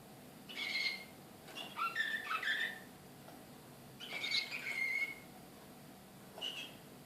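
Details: Srpski slavujar canary recorded in Belgrade in 2014, excited: two short warbling phrases of mixed whistles and twitters separated by silence, then a lone short chirp.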